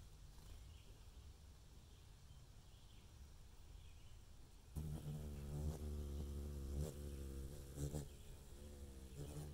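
Ruby-throated hummingbird wings make a low, steady buzzing hum that comes in suddenly halfway through and swells as the bird hovers close, over faint outdoor background noise.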